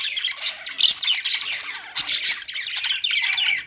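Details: Budgerigars chattering in a dense stream of warbled, scratchy chirps with sharp clicks, loudness rising and falling without pause.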